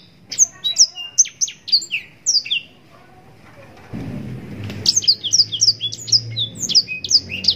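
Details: Blackthroat (Yellow-rumped serin) in its distinctive endless song, used for training songbirds: evenly spaced high sliding notes, a quiet gap with a low rumble, then a faster, denser twittering run.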